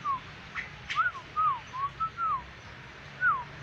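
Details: Yellow-crested black-winged myna in full voice, giving a run of short arched whistles, some rising and some sliding down, spaced irregularly over a few seconds with a quiet humming background.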